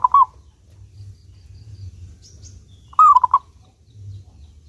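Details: Local zebra dove singing clearly as a lure for other doves. A coo phrase ends at the start, and a fresh rolling, stuttered phrase comes three seconds later. Faint high chirps sound in between.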